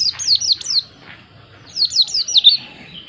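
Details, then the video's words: White-eye, called pleci, singing two quick phrases of high, rhythmic, down-slurred whistles, each run of four or five notes, with a short pause between. "Plecimu Langsung Nyaut, Dengar suara burung Pleci yg satu ini"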